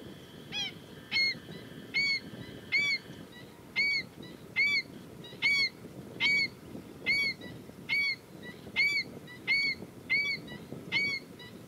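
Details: Repeated sharp, nasal yapping calls from a female black-winged stilt, about one per second in a steady series, each note short and slightly downcurved, with a faint constant high hum behind.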